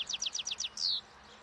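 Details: Wild European goldfinch feeding on old thistle seeds at a roadside as spring approaches, in breeding song; a quick series of six rising twittered notes followed by a longer drawn-out descending whistle.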